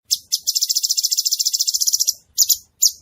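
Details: Cucak cungkok bulbul singing actively: a fast run of high, buzzy chattering notes, about seven per second, then two short separate bursts after a brief pause.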